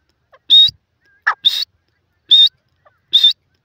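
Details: Sindhi teetar, a francolin, gives four high, clear whistled notes at uneven spacing, with a brief lower rasping sound just before the second whistle.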